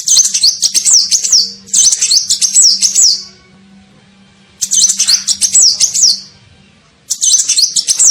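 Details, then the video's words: Sunbird call used as a lure for attracting birds, with rapid high-pitched trilled phrases of wavering notes repeated in bursts of about one and a half seconds, gaps between them, and a steady low hum behind. "SUARA PIKAT KOLIBRI NINJA"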